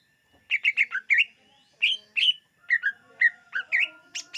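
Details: Greater green leafbird song used to lure birds: rapid bursts of bright, slurred chirps, a quick run of five notes, then paired and scattered whistled phrases, with a faint steady whistling tone underneath.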